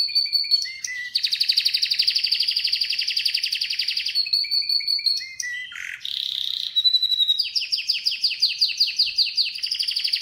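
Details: Canary song mixing sustained whistles, long dense trills, stepped whistled notes, a brief harsh rattle, and closing runs of rapid falling sweeps.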